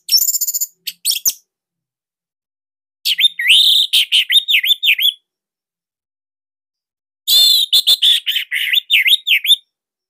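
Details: Orange-headed thrush of the Bali form, a master song for young spotted birds or silent ones, in a tight, loud style: three bursts of rapid looping whistled notes with crisp chips, separated by silent gaps.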